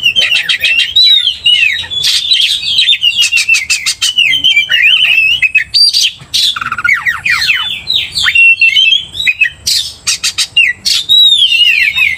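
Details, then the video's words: Sustained vigorous singing of an Oriental magpie-robin used as a provoking lure, with rapid rattles, descending whistled slurs and repeated sharp chips in a long unbroken stream. "cepat emosi Kacer dipancing kacer GACOR ini"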